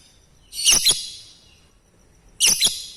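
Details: Lovebird call meant to spark replies and ngekek chatter from other lovebirds; two loud shrill double-pulsed screeches about two seconds apart, over quiet background.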